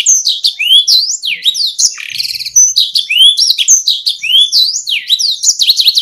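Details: Canary singing a stimulating lure song for idle caged canaries: a lively stream of looping whistled notes with a brief rattling burst near two seconds.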